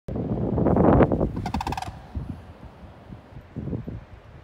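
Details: Sandhill crane, dated 5-3-20, giving one short rattling, pulsed call lasting under half a second, preceded by loud low rumbling and followed by faint low outdoor noise.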